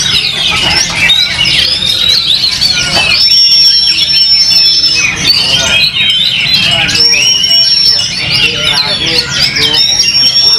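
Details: Contest Oriental magpie-robin on its first appearance after moulting, delivering a loud, continuous torrent of sharp chirps, trills and rising and falling whistles, with long steady whistled notes repeating; people talking softly underneath.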